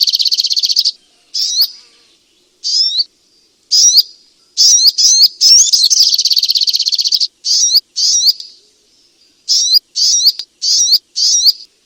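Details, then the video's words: Striated grassbird giving a long sequence of high, clear whistled phrases with upward flicks, broken by a rapid pulsing trill in the middle, with short pauses between phrases. "Terapi Burung Sogok Ontong lelet dan males bunyi"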